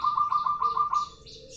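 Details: Local zebra dove giving its long rolling song: a low, rapid rolling coo of about six quick pulses lasting around a second, then fading. A steady series of high, thin chirps runs behind it.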